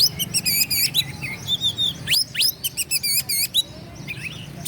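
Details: Oriental magpie-robin singing to provoke rivals; dense, loud phrases of rapid looping high whistles in quick rhythmic bursts, sharp rising slurs at mid-clip, then more repeated looped notes and a softer warble.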